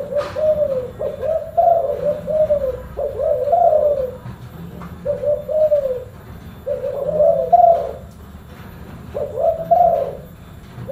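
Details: Spotted dove (tekukur) delivering a long run of low, mellow cooing phrases, grouped hoots repeated every couple of seconds with short breaks, faint hum in the background.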